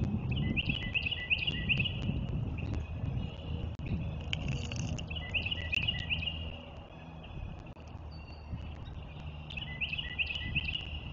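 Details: Eagles at Cardinal Land Conservancy, recorded 07.04.2024, give rapid strings of high, piping chirps in three separate bouts, each a second or two long, with heavy low wind rumble and faint clicks throughout.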